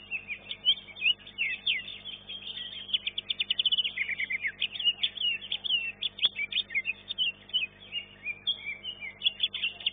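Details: Greater green leafbird, known locally as cucak ijo, singing in an elite-class bird singing competition at a Surabaya arena; dense, rapid, varied high chirps and trills with mimicked phrases, running continuously for ten seconds.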